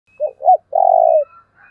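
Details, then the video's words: Decoy spotted dove giving a "thúc" style call, used to provoke wild doves: two short, bent coos followed by one long, steady, slightly falling coo, with a faint higher whistle in the background. "Cu mồi thúc vầy chịu gì nổi"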